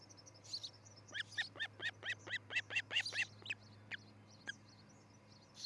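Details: Osprey at its nest in Charlo, Montana, on a nest camera, early morning of 13 July 2018: a run of about ten clear whistled chirps, roughly four per second, with faint other birdsong behind.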